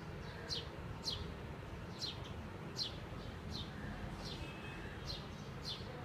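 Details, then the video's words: A bulbul singing alone on a tree gives short, sharp, high notes that slide downward, repeated about every half second to second, over a steady low rumble of distant traffic. "BULBULI singing"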